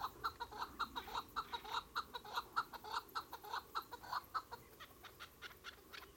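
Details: Chukar partridge calling steadily, a rhythmic string of about twenty short, throaty chuck notes in six seconds, evenly paced and gradually fading toward the end.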